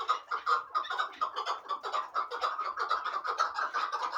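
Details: Hybrid partridge for fighting and hunting repeats hoarse chuck notes about twice a second in a steady, rolling rhythm.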